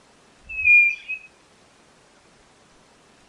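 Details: A single level whistle from a white-bellied nothura, ending in a brief downward flick, followed by quiet; a soft low thump and light background noise underneath.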